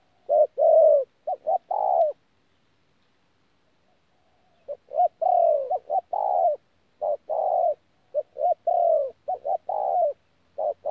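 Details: Spotted dove, caught from the wild, giving 'thổ pha gù' coos at Tu Mơ Rông in January 2019: an opening burst of phrases, a silent gap of about two and a half seconds, then a rapid, irregular series of short and long coos.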